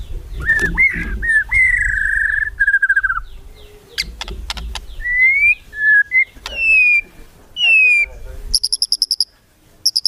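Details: White-rumped shama singing kretekan to provoke rivals: drawn-out clear whistles and slurred notes, some rising and some falling, then a final rattle of fast high ticks.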